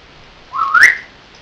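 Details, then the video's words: Pet parrot filmed indoors while talking in Dutch, here giving a single rising whistle lasting about half a second, over faint room hiss. "Talking Parrot (dutch)"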